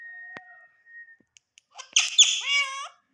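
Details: A steady high whistle, then an Indian ringneck parrot, green, addressing a mirror with a raspy, rich run of imitated speech syllables that bend downward, with light taps between.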